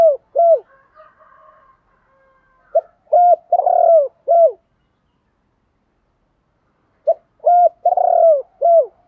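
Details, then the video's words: Spotted doves of both sexes, recorded for training captive birds daily; phrases of short hooked notes around a longer rolling central coo, repeated about every four seconds with quiet gaps. "cu gay moi gay goi cu moi cu gay cu moi"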